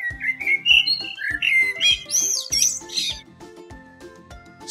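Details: Blackbird gives fluty, warbling whistles rising and falling in quick phrases, then a few harsher high notes, all over a steady rhythmic music track.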